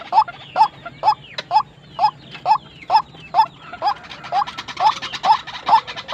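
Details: White-breasted waterhen, said to be tame but aggressive, giving a steady series of short, croaking calls repeated about twice a second, with faint chirps from other birds and a rougher hissing background in the second half.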